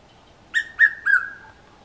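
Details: Red-chested cuckoo (Cuculus solitarius), a male, singing from a coral tree in a South African garden gives one loud phrase of three clear whistled notes, each lower than the last, the familiar 'piet-my-vrou', against a quiet background.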